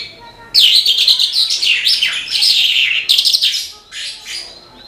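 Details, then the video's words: Horsfield's bush lark in full, energetic song: a continuous stream of fast, high, chattering and trilled notes with rising and falling slurs, broken by one brief gap, over a quiet background. "BRANJANGAN GACOR TIADA LAWAN"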